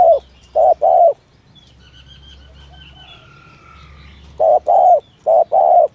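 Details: Spotted dove, 'thổ thúc gù' call used to attract doves for trapping: a pair of low hollow coos, a pause of about three seconds with faint thin bird whistles, then two more short-long coo pairs.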